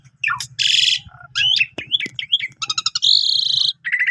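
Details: A Javan pied starling in full song, used to tutor canaries, mixes harsh rasping blocks, quick twangy slurs and a rising whistled glide, with a low humming drone underneath.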